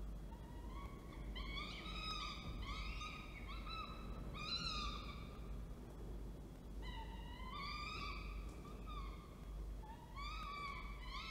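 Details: Falcons at Orange, New South Wales, 19 October 2024, male bringing food while the female feeds; repeated nasal, harmonic wails, some arching upward, delivered in clustered bursts over a constant low hum.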